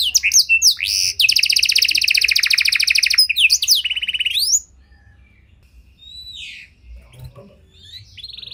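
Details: Panda canary with a luxurious cengkok song meant for baiting and training other canaries; dense rapid trills and sweeping whistles for about four and a half seconds, then near silence with a few faint distant chirps.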